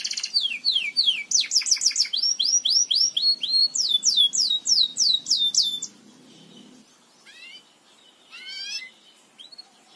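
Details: Song for teaching Belgian canaries: about six seconds of quick downward-sweeping chirps in regular runs, followed by quiet gaps with only a couple of faint slurred notes.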